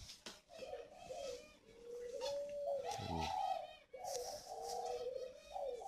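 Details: Coarse-voiced breeding spotted doves kept caged on a dove farm in Ba Vì, Hanoi, Vietnam: low, soft cooing phrases that slide and waver, repeated across the recording, with clicks, rustling and faint room noise behind.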